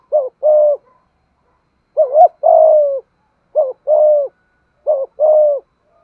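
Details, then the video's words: Malaysian-strain spotted dove in 'thúc gù' cooing. Each phrase is a brief hiccuping two-part note followed by a drawn-out, gently descending coo. Four phrases come in about six seconds, with pauses between them. "Tiếng chim cu gáy thúc gù, cu gáy malaisia gù thúc bài bản, chim cu gáy thúc gù bài bản"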